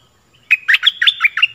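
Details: A single quick, chattering phrase of about six warbled, fluty notes from a stripe-throated bulbul, in a song played to teach young birds and lure wild ones; faint low hum in the background.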